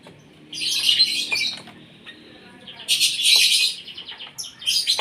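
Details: Asian pied starling fed in the morning to make it sing actively; two long, dense bursts of raspy, buzzing chatter, then a shorter high scratchy phrase, with faint clicks between.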